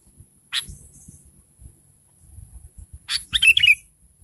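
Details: Sooty-headed bulbul calling to lure others into answering: a single harsh chip, a pause with soft low background noise, then a quick chattering, gurgling phrase.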